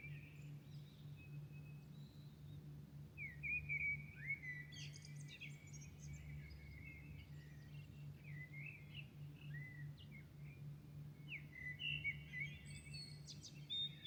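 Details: Birds singing at dawn in Milan: scattered high chirps, short whistled slurs and trills, many overlapping, above a steady low hum of city noise throughout.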